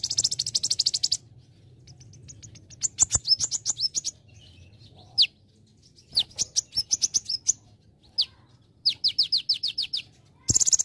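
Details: Olive-backed sunbird training song in konin style with celilin fill, used to teach other birds: short buzzy high trills alternating with runs of sharp descending whistled notes and quick chip series, packed across the whole stretch.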